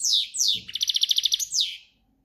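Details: European goldfinch, breeding season, campero song: two descending slurred whistles, a rapid buzzy trill of about a dozen pulses, then another falling slur.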